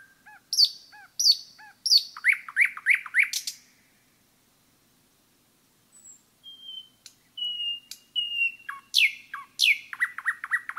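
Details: Common nightingale singing in a forest: repeated rich chirps and rising whistled notes in fast series, a pause, then long pure piping whistles leading into a quick rattling trill of notes.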